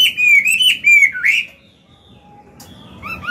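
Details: A mature hwamei singing in forest voice, for training caged birds. A slurred, wavering whistle phrase lasts about a second and a half, then near-silence with a faint tone, then brief rising notes return at the end.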